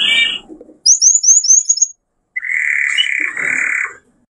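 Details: Male canary in excited song to stimulate mating. A short buzzy phrase is followed by a quick run of high sweeping notes, then a long harsh rolling trill after a brief silence.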